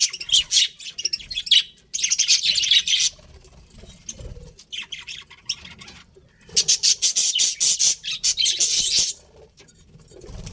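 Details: Pet budgies chirping in loud bursts of scratchy, buzzy chatter, with near-silent pauses around two, four and six seconds between the noisy spells.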